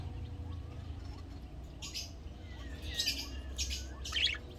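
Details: Budgerigar in a breeding setup cage gives harsh, scratchy chirps in short bursts, with a low rumble beneath.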